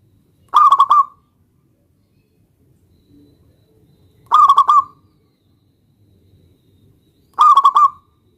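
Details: Zebra dove of local stock calling a rival to make it answer: three short stuttering cooing phrases, evenly spaced roughly every three and a half seconds, over near silence.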